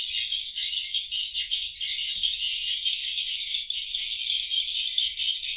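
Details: Continuous high, rattling chatter from many swiftlets in a swiftlet house's circling void ahead of the roosting room, captured by CCTV indoors; steady dense chirping without pauses, faint low rumble underneath.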